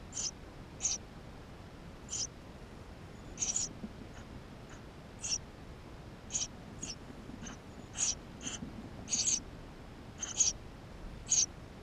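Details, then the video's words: Inside a Eurasian tree sparrow nest, GoPro recording of the nestlings: a busy, irregular stream of around eighteen thin, high squeaks, some louder and clustered, others soft and brief. "Воробей полевой 160416 2 в №2016 6 160528 GoPro1440p птенцы внутри 13"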